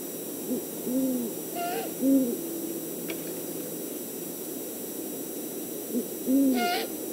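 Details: On a Montana nest cam around 6:40 pm MST on 8 March 2019, great horned owls mating give deep, soft hoots in short groups, twice over; the brief higher whistling note rising above each group comes from the male.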